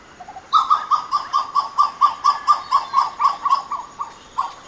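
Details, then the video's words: Western Plantain-eater delivering a series of yelps, about fifteen loud hoarse notes repeated steadily at roughly two to three per second, with a few soft notes leading in. "The call is a series of yelps that accelerate and become louder,"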